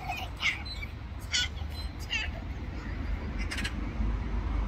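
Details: Black-billed magpie calling in short, grating chatter bursts, four or five harsh notes spaced roughly a second apart, over a constant low-pitched hum of background noise.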